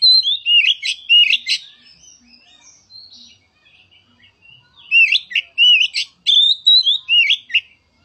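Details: Oriental magpie-robin singing, meant to stir a quiet magpie-robin into song. Two bursts of high, slurred whistles mixed with sharp notes are separated by a softer pause of faint twittering.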